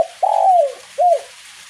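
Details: Spotted dove singing in light drizzle, a 'kuk 1' style song: a low, drawn-out falling coo followed by a short second coo, against a faint steady background hiss.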